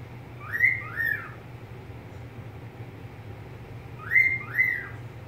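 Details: Pet budgerigar whistling twice, each time a quick pair of bright arched notes, the pairs about three and a half seconds apart, with a steady low hum behind.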